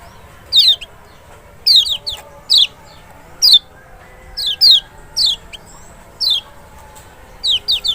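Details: Lemon-bellied white-eye, the large Lombok or Sumbawa form, kept as a cage bird, song used to provoke a reluctant bird into singing: short high descending whistled notes, sharp and clear, given in scattered bursts with faint background hum.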